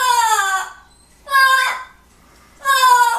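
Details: Pet blue-fronted amazon parrot, indoors in a small room, vocalizing while watching another parrot on screen: three loud harmonic, wailing calls, each about 0.7 seconds, falling slightly in pitch, spaced roughly 1.3 seconds apart.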